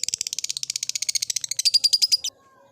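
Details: Caged lovebird, kept in an old cage, starting its ngekek: a fast, even run of about twenty-five sharp, high chattering notes that rise into shriller, louder pulses before stopping abruptly.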